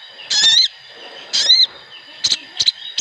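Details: Sooty-headed bulbuls in a massed lure recording meant to start birds singing. Two rich, rising whistled phrases a second apart, followed by short quick chirps.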